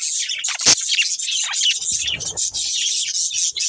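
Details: Breeding budgerigar pair chattering nonstop, high raspy twitters and squeaks layered over each other, one sharp click early on and some soft rustling and knocking in the middle.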